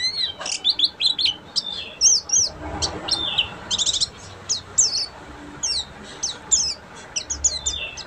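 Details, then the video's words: Oriental white-eye, buxtomi form, in ngeriwik song: a busy stream of shrill twitters, trills and quick whistled slurs, with a brief rustling noise midway. "PLECI BUXTOMI FULL NGERIWIK"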